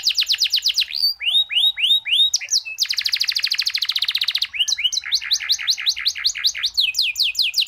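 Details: Canary training song with long rolls: rapid descending sweeps, a run of curved whistles, a sustained buzzy trill lasting nearly two seconds, then fast repeated slurred notes.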